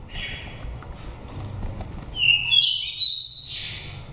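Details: Oriental magpie-robin from Daklak, Vietnam, five seasons old, with a pure wild voice used as a trapping or stimulating lure. After a quiet start, a rich burst of warbled whistles and buzzy notes builds in the second half.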